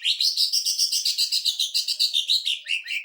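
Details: Greater green leafbird "tembakan mesin jahit" song used to train and provoke other birds: three seconds of nonstop rapid, rattling buzzy notes, dense and steady, ending in a few lower slurred notes.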